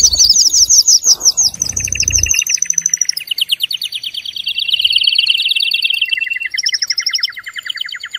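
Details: Excited male canary, singing strongly to get birds to mate: fast descending chirped notes, then several long rolling trills at changing pitches, with a burst of low handling noise early on.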